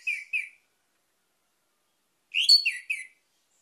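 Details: Orange-headed thrush singing as a lure for other birds: two short whistled notes, a pause of nearly two seconds, then a quick tumbling phrase of four clear, descending whistles.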